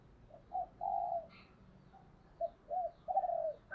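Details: A decoy spotted dove coos to attract wild birds. Two sets of soft, low coos, each a short note, a looping note and a longer smooth note, rise above steady low background hiss and rumble.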